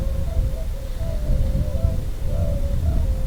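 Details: Tundra Swans, a flock passing overhead during spring migration at a stopover on the ice-covered Lake Huron shore at Pinery Provincial Park, Ontario, en route north to breeding grounds; mellow, overlapping hoots rising briefly every half second or so over steady rumbling wind.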